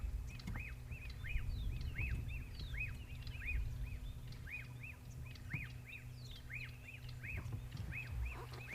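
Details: On an afternoon game drive after the first big rains, a black-backed puffback, formerly called the puffback shrike, repeats short, arched whistled notes about twice a second over a steady low engine hum and faint background noise.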